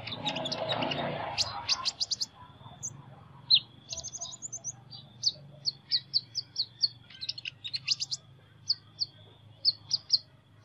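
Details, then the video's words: Sunbird's unusual song begins under a brief rush of broadband noise, then continues as a long series of crisp, high chirps spaced about half a second apart, sometimes doubled. "Chim Hút Mật Hót Giọng Lạ"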